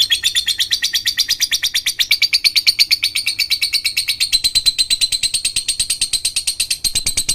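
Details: A lure recording of lovebird song meant to make quiet lovebirds start singing. A long run of fast, evenly pulsed, high chattering notes rolls on without a break, slightly shifting in pitch near the end.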